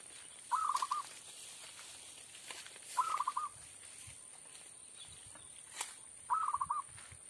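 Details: Zebra dove lure call used for trapping birds: three short rolling, trilled cooing phrases at a mid pitch, spaced roughly every 2.8 seconds, over a steady high-pitched hiss and faint background noise.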